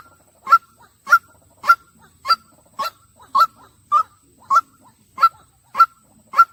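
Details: A white-breasted waterhen gives a long, evenly spaced series of abrupt honking calls. Eleven similar notes sound at a regular pace, with nothing else heard.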